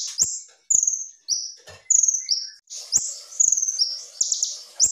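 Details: Caged kolibri ninja (sunbird) singing vigorously in full 'tembakan' bursts, a clear, fast-paced tutor recording: high, sharp whistled notes that jump up and hold briefly, about two per second, with faint lower chirps and a few clicks between.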